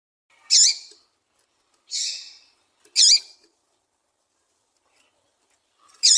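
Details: Female double-collared seedeater call, used to stimulate males to sing, giving short, high, buzzy chirps, one roughly every one to two seconds, with silence between.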